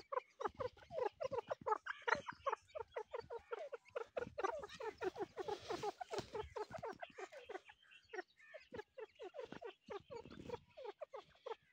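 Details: Grey partridge chick calls, filmed during the breeding season: a rapid, continuous series of short downslurred chirps, several per second, overlapping as if more than one caller, with light rustling underneath.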